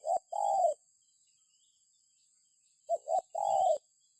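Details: Spotted dove, recorded for use as a lure to prompt other birds to call: low cooing phrases, two short notes and a longer drawn-out coo, heard twice with a long pause between, over a steady faint high hiss.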